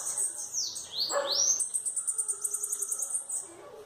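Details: Bananaquits singing face to face, a high wheezy phrase that dips and rises in sweeping slurs, then a fast, even series of sharp ticking notes.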